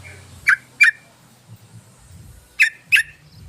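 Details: Lure call of a sooty-headed bulbul, used to attract others of its kind: two pairs of abrupt, bright chips, the pairs two seconds apart, over a quiet low rumble.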